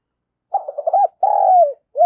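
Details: ['Spotted dove cooing in the thổ voice style: a quick stuttering run of short wavering notes, then a long throaty note sliding downward and a short closing coo.']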